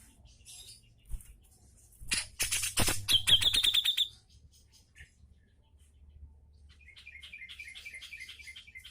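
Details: Grey-cheeked bulbul singing as a tutor recording for lazy caged birds: a burst of harsh broadband notes runs into a rapid, even trill of sharp repeated notes, followed by quieter, thinner, rhythmic chips with faint background hum.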